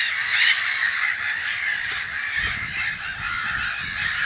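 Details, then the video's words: Black-headed gulls around their nests in spring at Brenne, Berry, France, mid-March 2012, heard from an observatory: a noisy mass of harsh, scratchy screams overlapping continuously, with a low rumble in the second half. "MOUETTES Rieuses/Printemps/Nids ! BRUITX"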